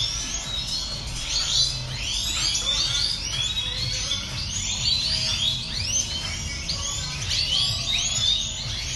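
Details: Many European goldfinches singing together in a large aviary: a dense, steady wash of bright, tinkling twitters and quick slurred notes with no pauses, over a faint low hum.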